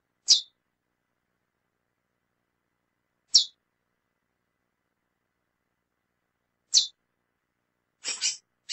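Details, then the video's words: Female seed finch (curió) from a breeder, calling a lot: sharp, high chip notes about every three seconds, ending in a quicker pair, silence between. "Fêmea de Curió Piando e Chamando Muito"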